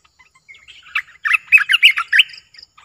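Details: Caged streak-eared bulbul, Thailand. Soft, thin notes build into a loud, quick, gurgling phrase of about eight bubbly, warbled notes, ending with a couple of high thin whistles.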